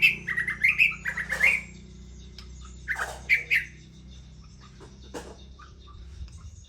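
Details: White-rumped shama, kept as an ornamental bird, singing a rapid run of clear whistled notes and slurs for under two seconds, a pause, then a shorter whistled burst, with a few sharp clicks afterwards over a low steady hum.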